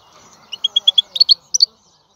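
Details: A short phrase from a European goldfinch: a quick series of six or seven bright, high chirps, evenly spaced, then a pair of sharper twittered notes, over faint background hum.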